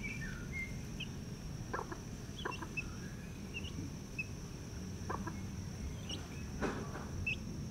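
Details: Wild hen with her young chicks in Hawaii: soft low clucks come in short pairs and triplets while the chicks give thin, high peeps scattered throughout, over a steady low background rumble.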